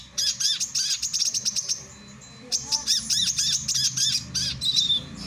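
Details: Male brown-throated sunbird, kept for training and luring other birds, giving bursts of high, sharp chattering notes and trills, broken by a short pause near the middle before resuming; quiet background.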